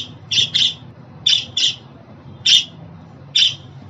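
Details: Budgerigar calling for a pet budgie: two doubled squawky chirps, then two single ones, with a short quiet stretch between.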